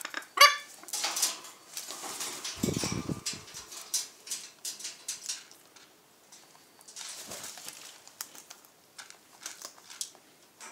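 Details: A pet sulphur-crested cockatoo refusing to share its seed gives a harsh, grating squawk, then a string of short rasping bursts with scuffling and wing flaps over about ten seconds.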